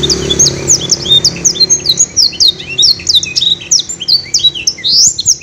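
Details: Caged canary trained with blackthroat and sanger song material, singing a long clear song: rapid run of high, sharp whistled notes and quick slurred chirps with no pauses, over a faint low indoor hum.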